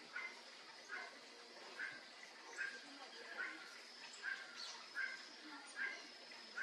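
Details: Great kiskadee, known in Brazil as bem-te-vi, perched in a tree in Brazil; short, harsh, bright notes repeat about every 0.8 seconds, nine in all, over a steady background hiss.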